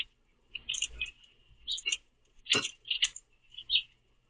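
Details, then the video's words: Common grackles competing at a backyard feeder for the last sunflower seeds, swooping and pecking at one another; short squeaky chirps and a couple of harsh rasping notes in quick bursts. "Grackles Argue Over The Last Seeds In The Feeder"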